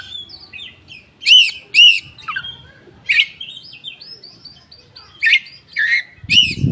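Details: Oriental magpie-robin with tail spread, singing as a lure for untrained birds. It gives two loud arched whistles, then varied warbling and scratchy notes, ending with more arched whistles and a low rustling thump.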